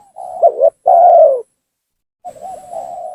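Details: Lure call of a spotted dove meant to provoke rivals: a soft lead-in coo, a broken double note and one long, loud, level-to-falling coo, then a pause and a quieter wavering coo.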